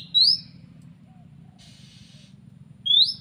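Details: An Oriental magpie-robin is approached by three wild magpie-robins soon after being set out. It gives two loud, high, upslurred whistles about three seconds apart, with a softer scratchy phrase between them over a low background hum.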